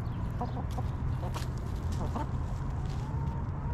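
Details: Hens in a backyard coop make quick clucks in short bursts, then a long, slowly rising tonal call, all over a steady low hum.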